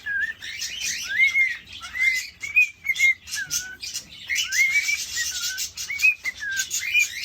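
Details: Caged male cockatiel whistling to a female during courtship: a series of bright upslurred and wavering whistles with buzzy chatter between them, in quick bursts broken by brief pauses.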